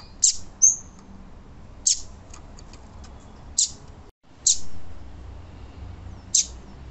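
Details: A female Double-collared Seedeater gives six sharp, high, down-slurred chips at uneven intervals of one to two seconds over a low background hum; the female call is used to excite male birds.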